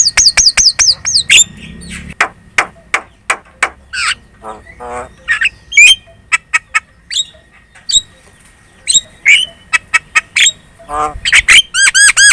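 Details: Javan myna lure song, a chattering, talkative bird meant to make other birds answer: harsh squawks, clicks and rattles mixed with repeated whistled rising notes, fast bursts of looping whistles at start and end.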